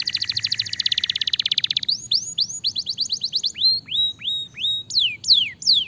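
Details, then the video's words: Canary song played as a lure to get a silent canary singing again: a rapid buzzy rattle of evenly spaced high notes for about two seconds, then a run of rising whistled upslurs and several steep downward-sweeping notes. "Pancingan AMPUH Kenari Macet Jadi Gacor Lagi"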